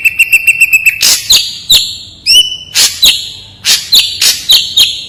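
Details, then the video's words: Ashy drongo singing sharply and clearly: a quick run of short, even, high chips, then loud, harsh, downward-sweeping notes mixed with a rising whistle, repeated at uneven intervals. "SUARA SRIGUNTING ABU SANGAT TAJAM+JERNIH.. the sound of the gray srigunting bird is very gacor...!!!"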